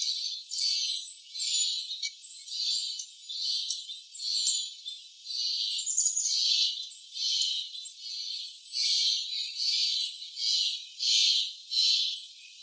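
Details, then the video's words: A Townsend's warbler in October gives high, sharp chip notes in uneven bursts, a little more than one a second, with a cat nearby and no other clear sounds. "Townsend's Warbler vs The Cat"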